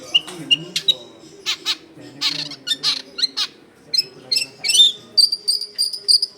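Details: Long-tailed shrike's vigorous song, used to lure wild shrikes: varied harsh chatter and sharp whistles at a rapid pace, ending in long, thin, high whistled notes repeated several times.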